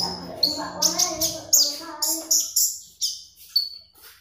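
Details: Magpie robin (konin), singing actively, used as a lure sound for training birds: sharp high chirps and bright whistled notes in quick bursts roughly every half second, with a low murmur of voices through the first half.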